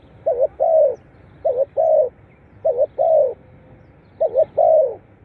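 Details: Spotted dove, calls for stimulating caged birds: four clear phrases, each a quick pair of hoots and then a longer descending coo, repeating about every one and a quarter seconds.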